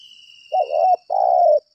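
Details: Spotted dove used as a decoy, giving a fighting call: a soft rising coo followed by a longer steady hoarse coo, close and clear.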